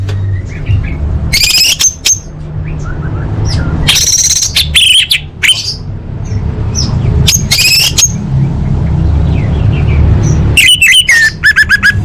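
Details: Lure song of an orange-headed thrush for making caged birds sing: scattered bursts of sharp high chips and slurred whistles, spaced a few seconds apart, ending in quick twittering, over a steady low hum.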